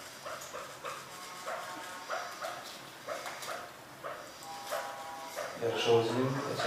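A chukar gives harsh, clucking chuk notes in quick bursts, several per second, building toward the end, with a faint voice and some rustling behind.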